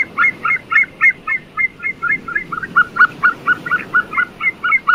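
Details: White-tailed sea eagle (Haliaeetus albicilla) uttering a long, steady series of short yelping notes, about two per second, slightly rising in pitch and volume toward the end, over a low background rumble.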